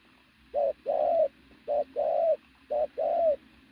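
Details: Three loud pigeon coos, each a brief clipped note then a longer throaty tone that slides slightly downward, spaced about a second apart.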